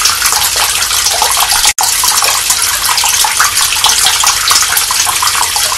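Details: Steady rushing water like a filling bathtub or running tap fills the recording, broken by one brief dropout, with no animal voice heard.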